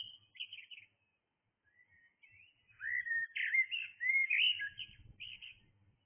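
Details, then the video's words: Singing blackbird in the early hours: brief high notes, a pause, then a longer run of fluty, tumbling whistles ending in a higher twittered flourish. Faint low rumbling sits underneath. "Blackbird singing"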